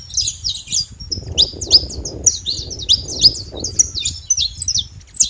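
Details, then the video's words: Saffron finches living free in the wild; high chirped notes and sliding sweeps come in loose phrases about every second, with a murmur of low background noise beneath. "canarinhos da terra livre na natureza"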